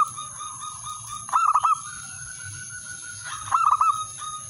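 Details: Male zebra dove calling out to a rival. Two cooing bouts about two seconds apart, each a fast bubbling run of three or four rolled notes with softer held tones between, and a constant thin high-pitched hum behind.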